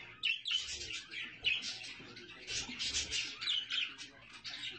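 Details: Budgerigars with chicks produce a continuous warbling chatter of squeaky, rasping notes and quick chirps, almost without pause, with a few louder sharp calls standing out.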